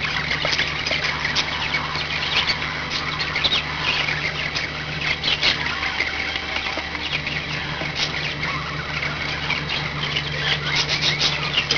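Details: Five pet budgerigars keeping up long, continuous chatter of harsh squawks, clicks and twittering warbles, accompanied throughout by a low mechanical hum that briefly drops out.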